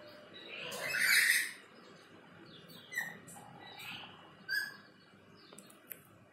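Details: Black-capped lory calling behind a window, a pet bird: one loud harsh squawk near the start, followed by several softer short chirps and whistles.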